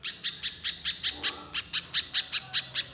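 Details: Little spiderhunter in energetic, rapid song: an unbroken run of high, sharp, piercing notes repeated about two or three times per second at a brisk, fairly even pace over a quiet background.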